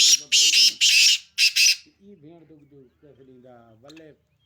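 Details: Sindhi black francolin gives a quick harsh phrase of five grating notes, followed by softer, lower voice-like tonal sounds.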